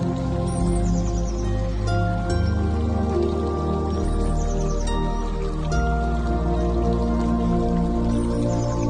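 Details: Soft new-age music with sustained low tones and gentle dripping chimes, with no animal calls.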